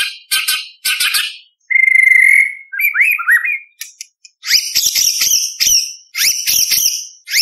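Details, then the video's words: Murai batu, the white-rumped shama, singing full of imitations with sharp shot-like 'tembakan' notes as contest material for training juveniles; crisp high bursts, a steady pure whistle, quick rising slurs, then dense scratchy high phrases. "Murai Batu Gacor Full Isian ~ Full Tembakan Materi Lomba"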